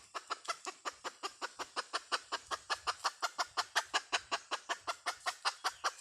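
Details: Hen calling in a fast, steady series of sharp clucks, about two to three per second, each a short broadband burst, running continuously for six seconds with a faint low rumble beneath.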